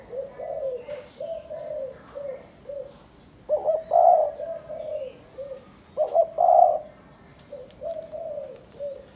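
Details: Spotted dove kept in a cage in Cần Thơ, Vietnam, trained as a ground-trapping decoy. Gives low, mellow coos in repeated series, with two louder, throatier bursts near the middle.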